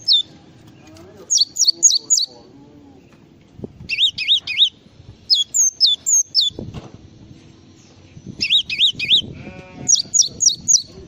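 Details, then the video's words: Java sparrow giving a full isian song of rapid bursts of three or four sharp, wavering whistles, some rising and falling, repeated in groups with quieter rustling between them. "SUARA BURUNG GLATIK FULL ISIAN"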